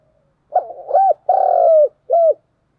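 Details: Spotted dove, a decoy bird giving its fighting coo to challenge rivals: a single phrase of low, hollow, mellow coos, a rough stuttered opening, a long sustained coo, then a short final coo, in an otherwise quiet background.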